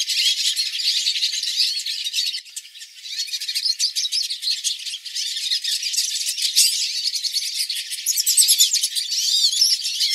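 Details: Hooded siskins in a flock sing training songs for pet birds: steady, intense high twittering with buzzy rattles, a short lull after two seconds, then sweeping whistled trills toward the end.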